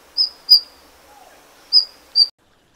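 Golden bush robin giving four thin, very high-pitched notes, two close together, then a pause, then two more, over a quiet background.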